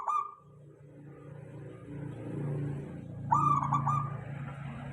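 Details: Local zebra dove lure song, meant to make other doves reply: one stuttering coo phrase rising out of heavy low rumbling background noise, with a brief fragment at the start.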